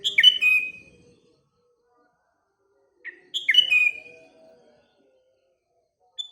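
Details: Morning song of a sooty-headed bulbul with nearby birds: a quick burst of liquid, descending whistled notes, a pause, then a short lead-in note and a repeat of the rich phrase, plus a faint high chip at the end.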